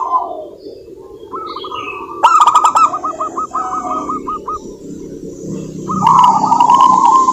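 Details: Local zebra doves singing frequently, played to draw other doves into song; quick stuttering coo notes repeat in runs, with rattling buzzy bursts near two and six seconds.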